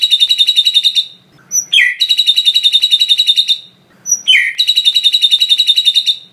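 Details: White-rumped shama master song filled with lovebird-style phrases: long, fast, high buzzy chattering trills of rapidly repeated notes, each about a second long, separated by short sharp upslurred chips.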